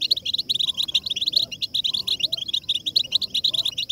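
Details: European goldfinches in collective twittering song to excite a female: unbroken, overlapping high twittering and buzzy chirps, with a soft lower repeated note recurring about once a second.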